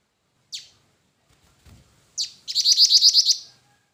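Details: Jingjing batu, or black-winged flycatcher-shrike, sounds a sharp falling note, a brief rustle, then another falling note leading straight into a high, even trill of about eight quick pulses.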